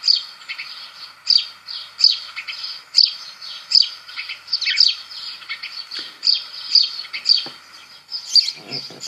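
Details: House sparrow, the bird most heard in parks and gardens, chirping repeatedly with short bright notes roughly every half second over a constant high hiss, with a few faint low knocks near the end.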